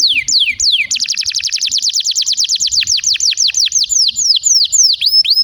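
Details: Canary song used to stimulate other canaries to sing; a few sliding whistles open a long, even trill of closely spaced falling notes that gradually spread out into slower, separate sweeps.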